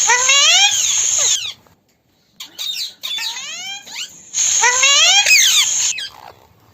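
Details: Several parrots in a group give loud, rasping screeches with stacked rising tones, delivered in dense bursts lasting one to one and a half seconds, broken by a brief silence and shorter sweeping notes.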